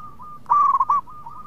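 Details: Single loud phrase of local zebra dove song: a quick stuttered run of bright cooing notes at one steady pitch, set against a faint, steady trill from another dove.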